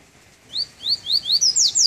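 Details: Double-collared seedeater, just out of moult and on its first cold-weather outing, delivers a Treme Terra phrase of high upward-slurred notes turning into bright downward strokes, six or seven evenly spaced in under two seconds.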